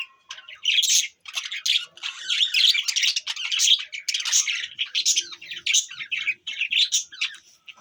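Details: Budgies chattering on December 25, 2023. A continuous, rapid warble of high, scratchy chirps and squeaky notes runs throughout, pausing only briefly between busy phrases.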